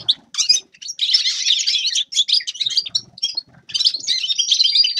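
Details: Grey-crowned goldfinch giving phrases of bright twittering and buzzy trills, interrupted by short silences, the last phrase ending in thin, drawn-out whistled notes.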